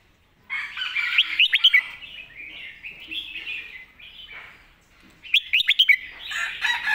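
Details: Red-whiskered bulbul singing a clear master song meant for teaching young birds: lively warbled phrases of rising and falling whistles with sharp chirps, starting after a brief silence, pausing, then resuming with quick repeated notes.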